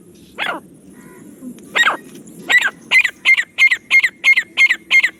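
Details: Calling black francolin in jungle: two or three spaced harsh notes, then a quickening series of about eight clipped, grating notes with a steady ringing tone, over faint background hiss.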